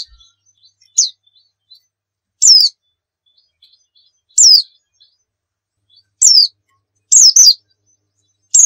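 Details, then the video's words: Javan white-eye of the dakun type from Pacitan, used for tutoring other birds: single thin, high downslurred chirps roughly every one to two seconds, ending with a doubled note, against a quiet background. "masteran pleci gacor nembak full isian"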